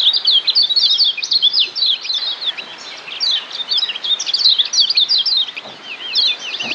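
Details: Lemon-bellied white-eye from Lombok, played as a training song to turn a chattering ngeriwik singer into the ngeplong style; rapid, continuous high twittering with quick rising and falling whistled notes, dense and overlapping throughout.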